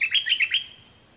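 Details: Recorded in 2020 from two birds as a teaching track for young birds to copy: a fast run of five bright, wavering chirps rising and falling in pitch within half a second, then only a steady high hiss.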